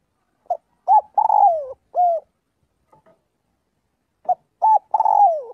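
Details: Spotted dove calling the flock, practising daily: two phrases of a quick note, short coo, and long downward-sliding coo, the first ending with an extra level coo.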